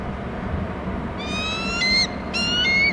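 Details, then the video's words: Hornby Island nest camera catches a bald eagle chick calling when the father comes in with food: two loud, slurred whistles rising in pitch with rich overtones, back to back, above faint rumble. "em is calling; dad in with food"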